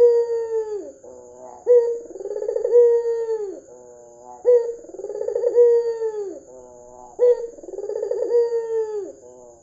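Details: Red-eyed white ringneck dove calling steadily, played as a lure to make other doves call: three low, rolling coos, each a purring burst that swells then settles into a drawn-out tone and drops, about every 2.8 seconds, over a faint high steady whine.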